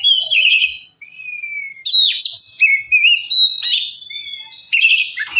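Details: Oriental magpie-robin song meant to make a quiet bird sing: long pure whistles gliding downward, then jumbled scratchy phrases and more sweet whistled notes.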